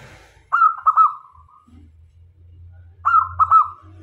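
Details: A local zebra dove singing actively, kept as a lure bird to draw in males and females. Two short cooing phrases of stuttering notes come about two and a half seconds apart, with a steady low hum underneath.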